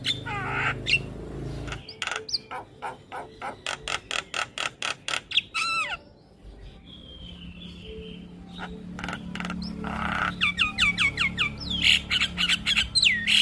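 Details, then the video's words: Black-winged starling song with full varied content, played to train young birds: long runs of rapid harsh clicks, a brief quiet gap with faint whistles, then dense repeated downslurred whistles and chatter. "Masteran Jalak Kebo Full Isian Pas Buata Jalak Kebo Muda"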